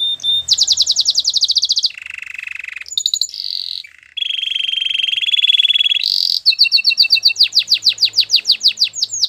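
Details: Belgian canary singing a varied training song, switching between rapid high rattling trills, low buzzy rolls, a pure held whistle and quick repeated chirps.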